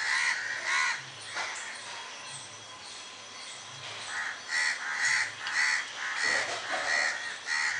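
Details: Crows in a flock, many perched in a tree while some fly about, giving harsh repeated caws, several birds overlapping in bursts of two or three calls, with a steady hiss of background noise.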